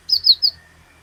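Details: Cinereous tit (glatik batu) on a lure track: three quick, high slurred whistles in under half a second over a faint low hum.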